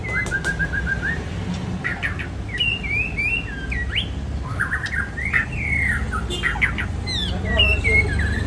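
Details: Aceh white-rumped shama pouring out a varied song of quick whistles, trills and sharp upswept notes, partly buried under heavy low background rumble and noise.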